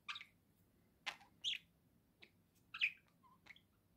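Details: Budgerigar kept as a pet, chattering in playful cheer: short scratchy chirps and squeaks at uneven intervals, with a few brief soft whistled notes, in a quiet room.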